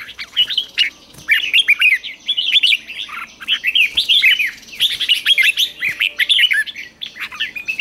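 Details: Morning song of a caged red-whiskered bulbul in training for the ché style. A nearly unbroken stream of quick, sweet, rolling whistles and chirps is delivered energetically throughout.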